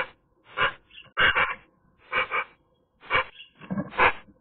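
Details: Eurasian magpie singing on a sunny day, caught on camera: a run of harsh, hoarse, broadband notes in short bursts about half a second apart, with a brief thin whistle between them.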